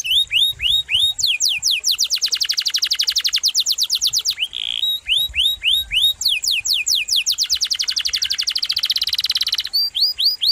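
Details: Canary song used as a tutor recording for magpie-robins, leafbirds and kacer. Rising sweeps lead into long, fast, rattling trills, broken by a short buzzy note, then another sweep series and a rolling trill.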